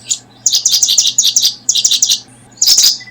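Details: Brooding paddyfield pipit giving rapid runs of high chirped notes, two strings of about six notes each, then a louder, denser burst at the end; faint constant low hum underneath.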